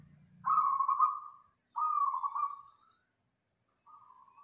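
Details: Local wild zebra dove, loud dense master song for training other birds: two long vibrating coos about a second each, a short trailing note after a pause, faint low hum at the start.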